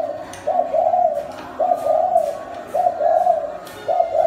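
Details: Strong decoy spotted dove kept caged in Thai Nguyen, Vietnam, going to a new owner, gives a rhythmic run of low mellow coos, paired short-then-long phrases repeated about once a second, with faint clicks and room noise behind.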